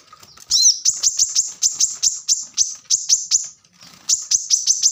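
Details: Plain-throated sunbird, locally kolibri kelapa or wiceh, singing a rapid training song for cage birds: a falling sweep, then high thin sharp notes in quick bursts of three to five, separated by short gaps.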